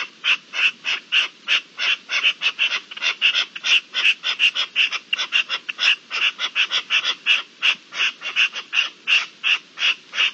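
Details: Mating-season partridges recorded 27 April 2021 give a fast, steady run of rasping, chattering notes, nearly three per second, keeping up a relentless rhythm throughout.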